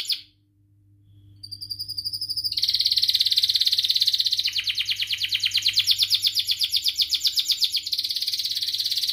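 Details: Canary singing a long song meant to lure young canaries into learning sounds; after a second of quiet, high thin notes lead into a fast, dense trill that rolls on to the end over a faint low hum.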